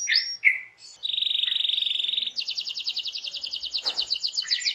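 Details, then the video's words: Canary song intended to make other canaries sing: a couple of slurred notes, a sustained buzzy high tone, then a long quick rattling trill. "Apapun Burung Kenari nya, BAKAL RESPON IKUT BUNYI dengar Suara Kenari GACOR INI"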